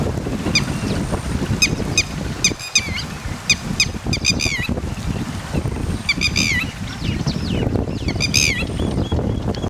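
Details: Red-wattled lapwing (titeri) with chicks: short sharp notes in spaced series, quickening into dense shrill bursts around the middle and end, over rough low wind rumble.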